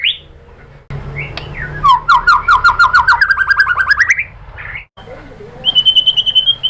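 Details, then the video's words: Murai batu (white-rumped shama) lure material meant to make a shama respond and sing. A rapid, accelerating rattle of rising notes over two seconds, a short squeak, then a high even trill. "bikin MURAI BATU jadi NYAUT GACOR BONGKAR MATERI TEMBAKAN ¦ PANCINGAN MURAI ¦ SHAMA BIRD"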